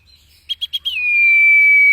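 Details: Common iora, from a training recording for cage birds: four clear chips followed by the start of a long, loud, level whistle.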